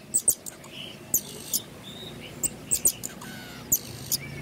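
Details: Pin-tailed parrotfinch, an aviary bird, singing: very high, thin, sharp notes in quick pairs and clusters at an uneven pace, with a few softer lower whistles over a steady background hiss.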